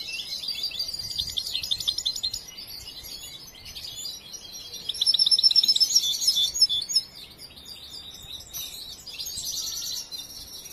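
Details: Young European goldfinch still being trained sings varied twittering song: tinkling chips, then a loud burst of rapid repeated high notes around the middle, followed by softer twitters and trills.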